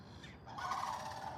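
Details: A rough, rattling sandhill crane call, one sustained grating note, heard while kayak fishing in shallow water in North Carolina, with light background noise.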